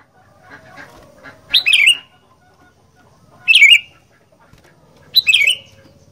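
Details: Caged sooty-headed bulbul kept for fighting in Indonesia, three loud falling song phrases about every two seconds over a busy background of faint chattering and low rumble.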